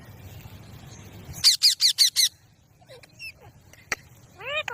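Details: Baby rose-ringed parakeet (Indian ringneck) gives five rapid, harsh, evenly spaced squawks, then thin whistled notes, a sharp click and a final rising-then-falling squeal.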